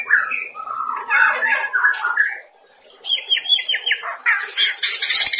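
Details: Murai batu (white-rumped shama) master song for training cage birds to sing: warbled, chattering phrases, a short pause, then rapidly repeated high notes and mixed whistles.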